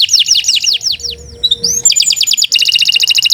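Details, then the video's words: Kenari canary song used as a master recording for training: quick falling whistled notes in series, a brief pause with a soft low hum, then dense rapid high trilled notes. "Kicau Burung Kenari 142 II LUAR BIASA GACOR PANJANG Cocok untuk Masteran"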